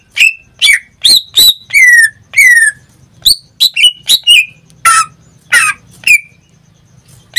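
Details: Pet greater green leafbird in full song: a lively run of whistled notes including two long downward slurs, quick doubled chips and a pair of harsh rasping notes, then a soft hum at the end.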